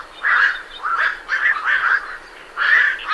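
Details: Night herons leaving the roost, recorded at medium close range, give a rapid series of loud, rasping, croaking calls in quick bursts, some overlapping, with brief pauses between groups.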